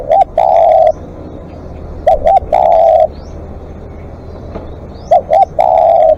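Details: Long calling from a spotted dove used as a live decoy: three phrases, each made of a quick coo pair and a drawn-out level note, evenly spaced, with faint chirps from other birds.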